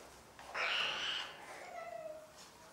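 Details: Cockatoos during family life: one loud, harsh screeching call lasting under a second, then a quieter call that slides downward in a thin tail, over low background hiss.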